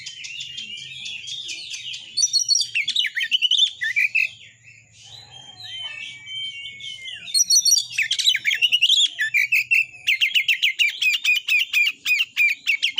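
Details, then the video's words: White-rumped shama song played to push shamas to sing and fight; rich mimicking phrases of warbles and trills, a brief quieter stretch with a slurred whistle, then long rapid series of sharp, evenly repeated chattering notes. "TEMBAKAN BURUNG KACER GACOR FULL MATERI .AMPUH BUAT NAIKAN EMOSI KACER, langsung gacor tarung.."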